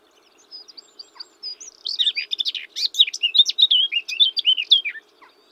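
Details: A male Blackcap sings from a regular perch in a small woodland with low scrub and bramble patches where it nests, starting with a soft, scratchy warble, then a loud, rich run of clear fluty notes tumbling downward, about three seconds.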